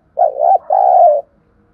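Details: Lure spotted dove calling to provoke wild birds: one clear, mellow two-part coo, a short wavering note, a brief gap, then a longer steady purring note. Clean, quiet background.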